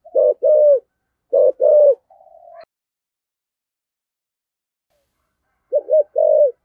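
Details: Spotted dove of the 'giọng thổ' voice type, 'thúc gù' cooing: two quick short-long coo pairs and a faint drawn tone, about three seconds of quiet, then one more pair.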